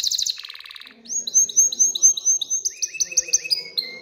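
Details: Canary singing excitedly to spur females to breed and build a nest: a short buzzy trill and lower rattle, then a string of clear whistled downslurred notes repeated about twice a second, speeding slightly.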